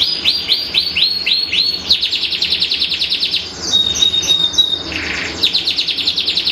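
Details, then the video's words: Iran-line panda-patterned canary song: a run of about six downswept high notes, then dense buzzy trills, a long steady whistled tone, and renewed rapid repeated syllables. "Kenari Rasmi Iran Panda Simetris Mewah Durasi Panjang Anti Ruji"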